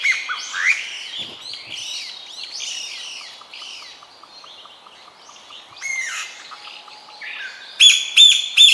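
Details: Chinese bamboo partridges calling over a busy chorus of mixed birdsong, with loud, ringing, rapidly repeated shrill phrases, heard as "chotto koi", bursting in near the end after resonant calls.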